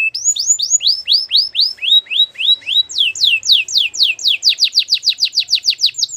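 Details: Belgian canary in full song for training, a fast series of falling whistled notes, first measured, then quickening into a rapid rolling run of sweeps near the end.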